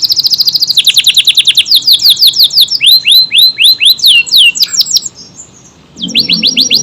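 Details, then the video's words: An AF canary in full long-lasting song for training other songbirds: quick high trilled notes, then slower hooked whistles about three per second, a short pause, and a renewed rapid series. "KENARI AF GACOR, durasi panjang tembakan rapet pas buat isian Murai, Kacer dan burung lain"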